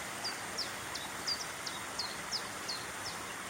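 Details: A common chiffchaff in the Brecon Beacons, Wales, beside a small stream on a hill path, sings a steady run of high, sharp, downslurred notes, about three a second, over the stream's rushing hiss.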